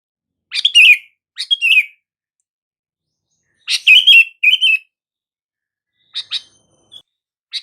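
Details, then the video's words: Sooty-headed bulbul calling, a recording said to make mute bulbuls respond; a run of short chirpy bubbling phrases in pairs, then softer scattered clicks and chips toward the end, otherwise silent. "SUARA PANGGILAN BURUNG KUTILANG , TERBUKTI AMPUH BIKIN KUTILANG BISU LANGSUNG RESPON"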